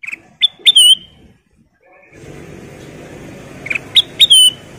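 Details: Sooty-headed bulbul female in song: a few crisp whistled notes with a quick upward flick, a quiet gap over steady background hiss, then a second group of three clear whistles.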